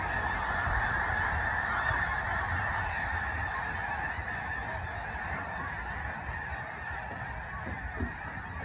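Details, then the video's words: Huge flock of snow geese at Limestone Bay in north Alabama, recorded on an iPhone: a dense, continuous din of overlapping nasal honks blending into a steady roar, with low rumbling noise underneath throughout. "Huge flock of Snow Geese"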